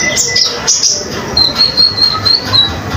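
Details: Common iora in lively, full song, recorded as master material for teaching other songbirds; a run of clear, high whistled notes, steady and repeated about every quarter second in the second half, over faint background hiss.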